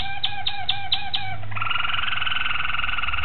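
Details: Malinois Waterslager canary, recorded 26 October 2012, singing five evenly spaced knocking notes that lead straight into a sustained, fast rolling bubbly trill, with faint low hum behind.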